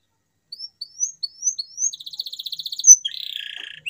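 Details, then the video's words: Singing canary, used to encourage silent canaries to sing: four separate rising whistles, a fast even trill, a sharp high note, then a buzzy sustained rattle. "CUITAN KENARI 100% GACOR PERANGSANG KENARI BISU AGAR KEMBALI GACOR"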